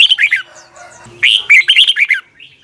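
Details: Red-whiskered bulbul singing in the morning, long double twisted voice style, recorded as a decoy for training birds: two closely spaced, lively warbled phrases with faint soft notes in between.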